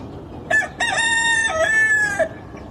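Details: Rooster on a chicken farm crowing: a brief two-part opening note, a short pause, then a long, strained, harmonic-rich crow held for about a second and a half, dropping at the end; steady low background hiss.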